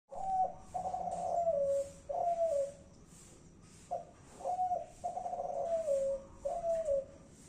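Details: Spotted dove of the Kelantan type cooing: low, mellow coos, with each phrase made of a short note followed by a longer descending coo, repeated in groups separated by brief pauses, in a quiet setting.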